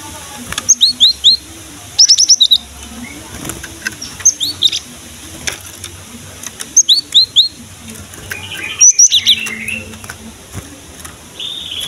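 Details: Cinereous tit (gelatik batu) singing energetically, a recording used to lure and stimulate young males and females to sing: clear high whistled two-note phrases, sharply falling slurs, delivered in short bursts about every two seconds, with faint clicks behind.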